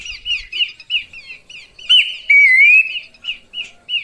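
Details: Short burst of Horsfield's babbler lure call for attracting birds: quick bright chattering notes, a sharp buzzy burst, then a long upward-sliding whistle followed by a few spaced single notes.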